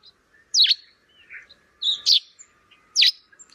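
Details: Sparrow calling in rainy weather, giving loud, high chirps roughly once a second, each a sharp descending chip with softer twitters between, over a faint steady background hum.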